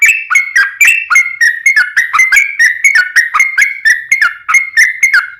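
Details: Lure song of a lively yellow-vented bulbul, a long rolling phrase: fast chains of rich, warbling whistled notes that dip and rise, almost four per second, running without pause and without background noise.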